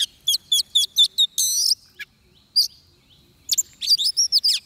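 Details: Oriental magpie-robin singing during bird trapping, with a decoy bird used for fighting song: a rapid run of short, sharp whistled notes, a longer buzzy phrase, a pause, then another burst of clear, varied whistles.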